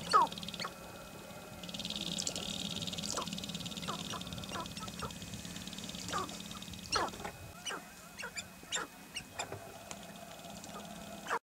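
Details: Male sharp-tailed grouse displaying on their lek in the Nebraska sandhills give scattered clucks, cooing hoots and sharp popping notes in irregular bursts over a low steady hum, with some distant chatter.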